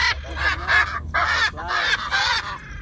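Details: Free-flying macaws in Bandung give five or six harsh, raspy squawks in quick succession, each under half a second, over a low steady rumble.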